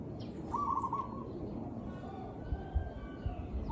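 A zebra dove gives a brief, rapid run of soft staccato coos, starting again just at the end, over a steady low rumbling background.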